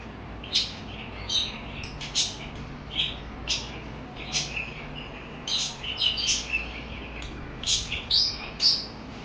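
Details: Parakeets chirping: scattered high, sharp chirps and short squeaky notes from several birds, irregular and overlapping, over a constant low background hiss.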